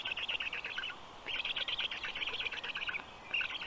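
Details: Black stork chicks in care at a university in Tartu, Estonia, fed breakfast at 10:08 a.m. on 16 June 2022; fast runs of rasping, pulsed high calls, a brief pause, then another burst, over a faint forest hiss.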